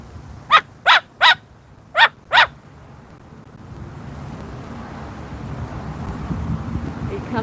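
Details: Pet Moluccan cockatoo on a patio in the evening, barking at dogs: five sharp, loud, clipped barks in quick succession within two seconds, then quiet low background hum.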